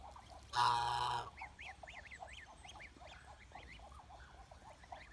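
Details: Domestic Chinese goose honking once, a loud, harsh, drawn-out blare lasting under a second, followed by a busy chorus of quieter chirps and peeps.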